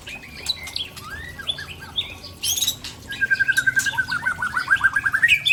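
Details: White-rumped shama of Tangse, Aceh origin, delivering rare mimicked fill-ins: scattered high whistles and slurs, then a rapid, even trill of repeated notes running for about three seconds with bright chips over it.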